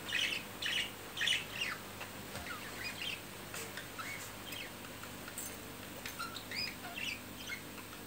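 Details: Budgerigars during mating and the courtship display that follows, giving soft clusters of short, scratchy chirps and warbles in quick bursts. The bursts are strongest near the start and end, with quieter gaps between them over a steady low background hum.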